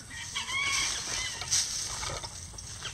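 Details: Free-range backyard rooster crowing: a short harmonic, slightly wavering crow that rises then falls, lasting under a second, over a steady hiss of background noise with faint scattered chirps from other birds.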